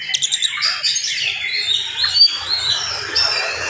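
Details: Fast morning song of an oriental magpie-robin used to excite other magpie-robins: tumbling high whistles and thin chirps over a steady faint low hum.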